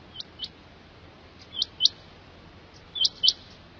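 A quail gives high, sharp chirped notes, mostly in quick pairs, every second or so against a quiet, faintly hissing background.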